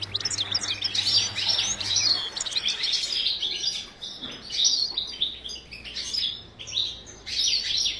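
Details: Breeding-cage European goldfinch, a high twittering song in waves of fast chirps and trills that swell and fade, with faint low hum early on.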